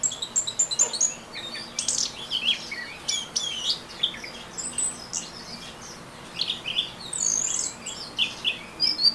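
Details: Ngeriwik singing by an orange-headed thrush: loud rapid bursts of high chirps, sharp clicks and sweeping squeaky slurs coming in uneven pulses throughout.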